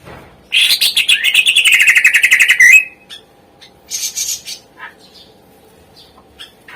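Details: Greater green leafbird in a training recording meant to prompt lazy birds to sing: a dense buzzy phrase of rapid trilled notes sliding down over two seconds, then scattered short chirps and a brief burst of high notes.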